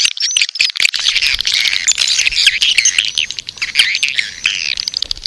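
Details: Lure recording of edible-nest swiftlets calling in the birahi, or mating, style to attract swiftlets to a nest house: a loud, crowded, high-pitched twittering with squeaky chirps and occasional clicks.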